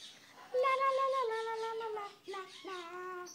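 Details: A male pet cockatoo, given a little human prompting, drawls a long, falling, voice-like "wazzup" with rich harmonics, then gives a shorter second call, indoors.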